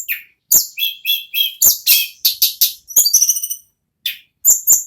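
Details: Non-stop ngerol-style singing from an ashy tailorbird (mountain tledekan or sulingan): rapid sharp chips and clicks mixed with high whistled trills, a fast stuttering run near the middle, then a brief silence before more chips.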